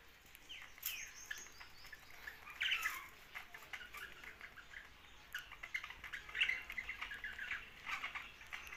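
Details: Young budgerigar chirping, with short scratchy chirps and warbled notes in two loose bursts, around three and six seconds, amid faint clicks and quiet background hiss.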